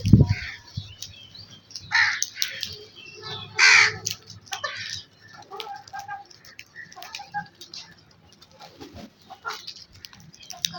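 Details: Crow giving two loud, harsh, raspy caws about two seconds apart, with softer scattered calls and chirps in between and a low steady hum beneath.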